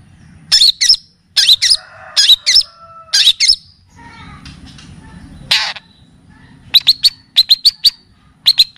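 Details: Long-tailed shrike (pentet) on a song-training and lure track full of kapas tembak and cililin phrases: harsh, scratchy note clusters, then a dull noisy patch, then quick high chips in fast series.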